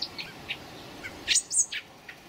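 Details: Common blackbird fledglings recorded on 26 May 2018: thin, high chirps in short scattered notes, with a burst of sharper, louder squeaks near the middle, then fading single peeps over a faint background hiss.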